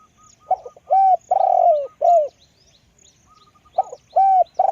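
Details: Spotted dove used as a decoy, with a big, deep voice, repeating its cooing phrase twice: stuttered opening notes, long drawn coos with a dropping end, separated by a quiet pause.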